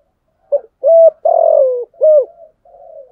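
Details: Spotted dove calling to challenge rivals: short clipped notes building into a long coo that slides down, followed by a rising note and a soft trailing coo.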